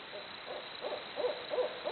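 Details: Barred owls hooting: a brief run of five or six short hoots, spaced roughly a third of a second apart and getting louder, against a quiet background.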